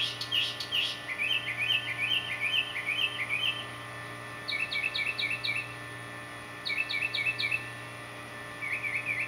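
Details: A male northern mockingbird tries to attract a mate with songs copied from other birds, singing quick bursts of repeated high chirpy notes in clusters of four to eight, separated by short pauses, with a constant low hum behind.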